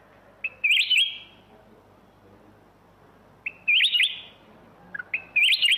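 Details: Black-crested bulbul giving three brief, liquid, warbling phrases a few seconds apart. Each is a quick run of wavering whistled notes in a quiet setting.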